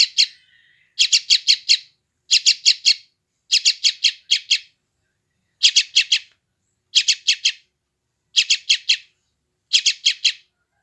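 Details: Young sooty-headed bulbul calling in West Java, phone recording used to train freshly trapped wild birds; harsh rasping chirps in regular bursts of four or five, about every 1.3 seconds.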